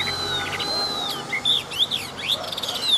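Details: Chinese hwamei, a big wild-caught competition bird with a forest voice: a long high thin whistle, then quick buzzy slurred notes and rapid twittering phrases.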